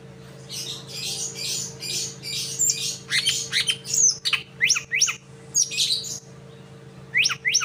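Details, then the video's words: Caged greater green leafbird learning to imitate the call of another bird species: rapid high chirps, sharp squawky notes and quick downward sweeps in a busy run, over a steady low electrical hum. "cucak ijo belajar suara burung sikatan londo"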